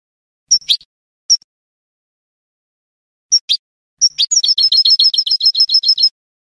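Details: Spanish goldfinch in salon song style: a few clipped high notes spaced apart, then a quick, even burst of twittered trill notes repeated many times over two seconds, against clean silence.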